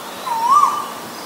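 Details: Asian koel, from a recording of a male and a female: a single clear whistled note that dips slightly, then rises and falls again, standing alone over quiet background hiss.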